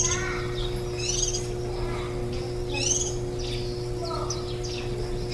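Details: Warbling white-eye feeding nestlings on 23 July 2018, the day before fledging after ten days of brood care: scattered thin, high twittering notes and upslurred chirps, fairly soft, with a constant low hum beneath.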